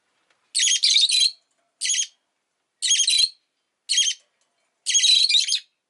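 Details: Rosy-faced lovebird chirping in a run of five piercing, raspy bursts roughly once a second, several of them doubled or stuttered, with clean silence between.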